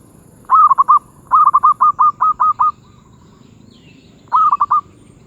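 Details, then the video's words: Medium-voice (suara sedang) zebra dove cooing in three bursts of rapid rolling notes: a short phrase, a longer run of about eight notes, then a brief closing phrase, with a steady faint background hum. "Merbuk suara sedang"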